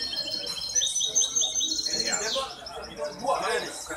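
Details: Competing hybrid goldfinch, recorded 23 May 2021 at a song contest: a run of high, evenly repeated notes, then a swooping phrase, before people's voices take over.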